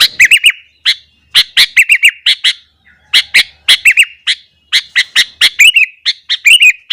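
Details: Sooty-headed bulbul singing busily at morning to provoke rival bulbuls: continuous series of sharp chirps and liquid wavering whistles, grouped in short rapid phrases with brief gaps throughout.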